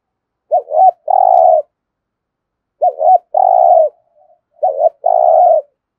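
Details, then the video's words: Spotted dove repeating its 'thúc gù' coo three times, about every two seconds. Each phrase is a wavering two-note coo run into a longer sustained low coo. "cu gáy thúc gù"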